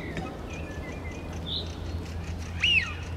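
A male Eurasian wigeon gives one clear, arched whistle near the end, rising then falling. Fainter whistles sound earlier over a steady low rumble.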